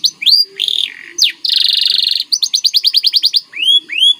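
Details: White canary with a lively gacor masteran training song: quick whistled slurs, a dense buzzy trill, then about a dozen evenly spaced sharp notes and two rising whistles to finish.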